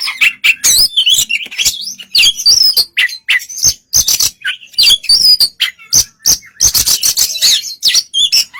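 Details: White-rumped shama singing to provoke another bird: busy, dense mix of chirps, harsh buzzy notes and whistles in quick succession, with small gaps throughout.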